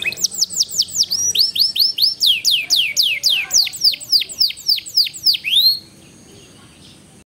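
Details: Canary in full song, a small contest bird singing the drawn-out 'cengkok ngawet' style. It delivers a rapid string of bright, downward-swooping whistles, about three each second, with thinner high notes layered above, then falls quiet after nearly six seconds.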